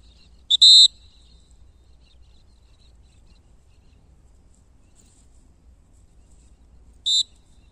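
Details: Captive-bred male aplomado falcon (Falco femoralis) of the 2020 season, kept for falconry in Brazil, gives two brief, thin, high whistled notes about six seconds apart over a quiet low hum.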